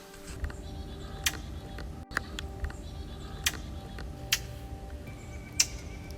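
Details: Brown Thrasher at Tishomingo National Wildlife Refuge, southern Oklahoma, early January, landed very close and gives curious, distressed alarm calls: sharp, harsh smacking notes, six in about six seconds at an uneven pace, over a faint steady hum.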